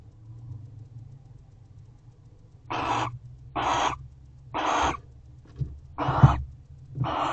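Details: Barn owls guarding the house at a nest box, owl box C, 12/1/23 before dawn. Quiet low rumbling at first, then five rasping screech bursts roughly every second with faint knocks between.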